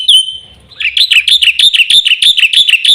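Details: A black-winged myna sings: one clear high whistle, then a fast, regular string of ringing chirped notes, about four per second.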